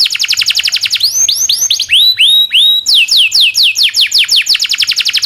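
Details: Canary master song for training young canaries, rapid series of descending whistled notes, then slower rising upsweeps repeated about three times per second, returning to quick falling trills.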